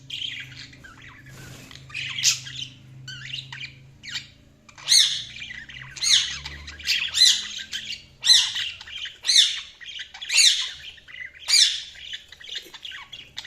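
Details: Budgerigars chirping: a series of scratchy, rising chirps and squawks roughly once a second, quiet at first then louder, with a low steady hum underneath.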